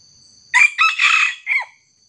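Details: Junglefowl crowing during a trapping session where a small decoy bird faces a young wild junglefowl; a loud, harsh crow in four clipped bursts over about a second, ending abruptly, over a steady high insect hiss.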